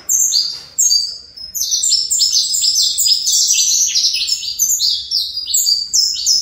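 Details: Saffron finch, a bred fibra line bird, singing a long, almost continuous string of high, bright, trilled and whistled notes that grows denser after the first second.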